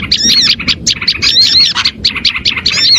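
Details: Oriental white-eyes used as a lure for other birds, giving quick, sweet, high twittering phrases with slurred rising-and-falling whistles in short clusters.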